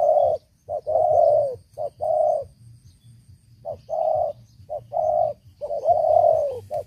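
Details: Long-kept decoy spotted dove with a loud voice, cooing in repeated phrases: a short clipped note leads into longer, hoarse, even coos. Several phrases come in a row, with a quiet pause mid-way and a low rumble beneath.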